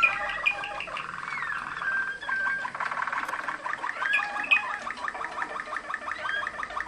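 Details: Singing Waterslager (Malinois) canary from Macedonia: gurgling bubbly trills interrupted by upward-sweeping whistles, then a run of rapid clipped repeated notes in a steady rhythm.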